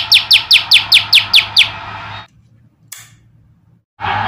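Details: A male olive-backed tailorbird, later released into the wild, delivers eight loud, high, downslurred notes in a fast regular rhythm, then the sound cuts to near silence before a brief burst of noise.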